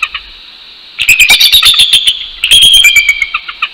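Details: At 6:48 AM on 12 January 2019 a wild bald eagle pair in Northeast Florida sings together to mark its territory: faint notes, then two close bursts of rapid, shrill, giggling chatter.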